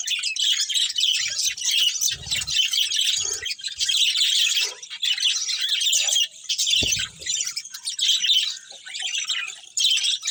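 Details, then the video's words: Colony of budgies including a breeding pair, keeping up steady high-pitched warbling chatter in overlapping bursts, with short gaps around six and nine seconds and a few faint low knocks. "Cute Budgies Chirping Sounds | Love Birds Breeding Pair | Budgies Colony"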